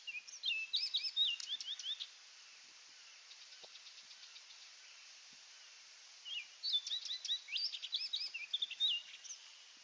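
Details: An orchard oriole at Donnelley WMA in coastal South Carolina sings two rapid, jumbled phrases of high whistles and slurred notes, separated by a pause with faint ticking in the background.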